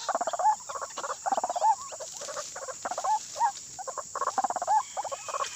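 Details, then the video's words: Agitated white-breasted waterhen calling in a frenzied way: repeated bursts of fast gravelly croaks with clipped rising whistles between them, against a constant high-pitched background hiss. "Burung ruak-ruak kesurupan"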